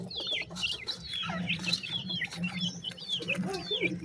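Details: Pheasant chicks eating feed: high curved peeps from several chicks, then lower, softer warbling calls near the end, over a steady low hum and faint pecking.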